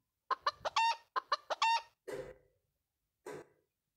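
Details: Domestic chicken clucking in a children's animal quiz: two quick bursts of short harmonic clucks ending in a drawn-out squawk, then a spoken word and a second brief voice sound.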